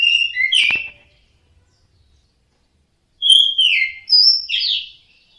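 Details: Orange-headed thrush singing teler style, a short burst of slurred whistles, a long pause, then two rich phrases of rising and falling whistled notes.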